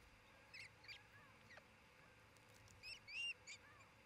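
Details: Nest camera at Charlo, Montana, June 27, 2018, where an osprey couple is raising a new family: scattered faint chirps, then a louder cluster of clipped whistled calls around three seconds, with a constant low hiss behind.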